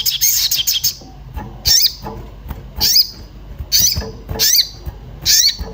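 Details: Orange-bellied flowerpecker calling excitedly while looking for a mate, a lure sound for getting birds to sing: spaced, very high sharp notes with a hooked downward sweep, about every second, faint background rumble.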